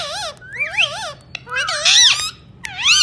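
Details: Ringneck parakeet speaking in choppy, harmonically rich syllables. Wobbly falling notes lead into a scratchy rising phrase, then a harsh squawky word. Short pauses separate the phrases.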